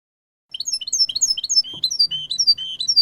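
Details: Goldfinch, or jilguero, delivering clean song: sprightly upward-flicked twittering notes that settle into steady repeated chirps, a faint hum and a brief thump audible underneath.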